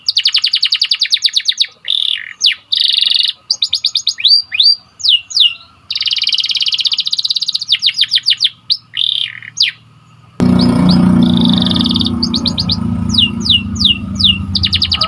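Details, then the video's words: White canary training song with rapid chirp rolls and buzzy sustained trills in quick succession. Background noise rises sharply after about ten seconds while the singing continues. "Pelatihan burung kenari agar semakin gacor"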